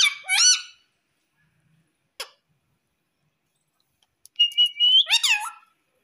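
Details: Indian ringneck parakeet kept as a pet in India, after a person says mummy, giving a short squeaky phrase, a long silence with a click, then a whistled steady note and a swooping squeak.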